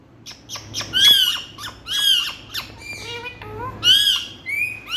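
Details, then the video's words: Indian talking parrots uttering piercing harmonic screeches preceded by short ticking chirps, a few falling whistled notes between, repeated in loose bursts about once a second. "Parrot Running Pyari🥀Awaaz Waly🍃Indian Talking Parrots"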